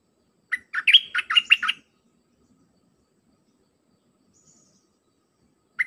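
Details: Red-whiskered bulbul song used to tutor young birds: one dense phrase of quick, warbling chirps lasting about a second, then a long quiet gap before the next phrase begins at the very end.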